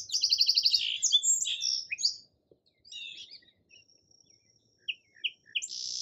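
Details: Song sparrow delivering rapid repeated sharp notes, then varied warbled and trilled phrases, a pause, scattered chips, and the start of a buzzy trill at the end.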